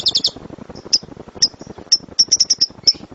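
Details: Lovebird song in the rumbling rapid-fire style called suara gemuruh tembakan, meant as a master recording for training birds: a short burst of shrill chirps, then single high sharp notes spaced about half a second apart, with faint clicking underneath.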